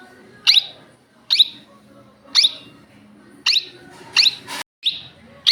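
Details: Indian ringneck parakeet at home calling in its natural voice, six or so harsh, high screeches spaced about a second apart, one short knock or click among them.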